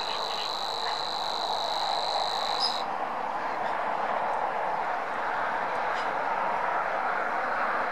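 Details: Savi's warbler: a steady insect-like buzzing reel runs for under three seconds, then stops abruptly, leaving only a dense rushing background hiss.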